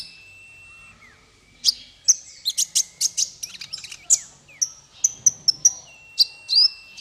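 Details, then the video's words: Bird song for training small fighter birds. A long thin whistle gives way to scattered sharp chirps, then clipped high notes and short rising whistles in quick succession. "Masteran paling merdu untuk burung faigter kecil"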